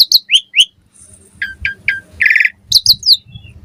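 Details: Asian pied starling (jalak suren) singing in the morning, played to lure other starlings into song; loud varied phrases of sharp descending whistles, clear notes and a harsh rattling burst, with quiet gaps between.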